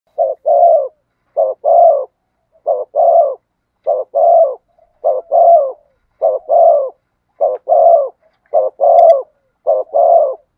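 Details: Spotted dove singing in the 'thổ sấm' voice style: low, mellow cooing phrases, each a short note then a longer, falling coo, repeated about every 1.2 seconds, nine phrases in steady rhythm against a silent background.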